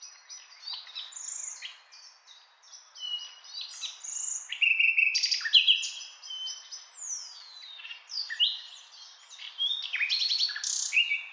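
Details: Nightingale song, a varied stream of whistled slurs, sharp rising sweeps and fast rattling notes, phrases following each other with little pause over soft background bird chatter.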